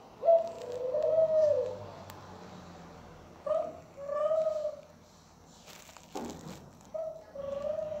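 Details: Cooing of a pet Barbary dove: brief sharp onset then a longer mellow held note, phrases spaced unevenly with quiet gaps between them, and a short knocking noise near the end between coos.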